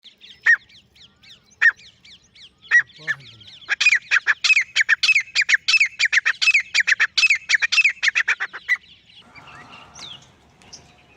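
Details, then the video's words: Male grey francolin calling alone: a few spaced sharp notes, then a long loud series of harsh, ringing repeated calls, about three per second, fading out at the end. "Akely Nar Teetar ki Saaf or Full Sound | Awaz Only Male Partridge Sound | Grey Francolin Voice"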